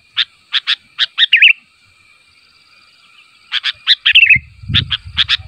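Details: Sooty-headed bulbul calling so that other bulbuls answer: bright, clipped chirps repeated about every half second, a quick warbled flourish, then another series, over a thin steady whine; a low rumble joins near the end.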